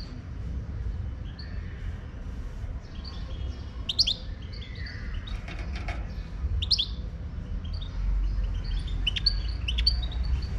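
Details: Wild Moroccan goldfinch song outdoors, continuing from an earlier recording: bursts of sharp high twitters and tinkling chirps clustered at four, seven and ten seconds, with quieter notes between, over steady low background rumble.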